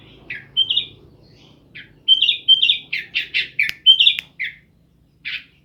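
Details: Kept kutilang, or sooty-headed bulbul, from Jember in East Java, Indonesia, in full gacor song: scattered chirps, then a rapid cluster of sharp notes and whistles, ending with one isolated note after a pause.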